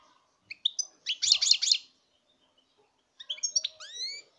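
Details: Goldfinch song with scattered chirps, a rhythmic series of rich buzzy notes, then a later phrase ending in rising, upward-sweeping whistles, in a quiet background.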